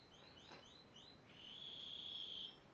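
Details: Spanish timbrado canary, yellow, 2011 bird: a few quick upswept notes, then a long steady high trill held for about a second, against a hissy background.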